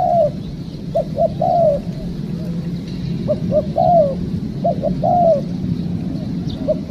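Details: Spotted dove cooing while being trapped with a decoy bird; short clipped notes lead into a drawn-out descending coo, three phrases in seven seconds, with a constant low background drone.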